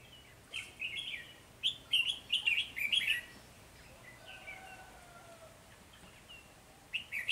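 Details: Trapping decoy red-whiskered bulbul, start of the season on 3 November 2020, gives a quick series of sharp, bright warbled notes, then falls quiet before one more phrase at the end.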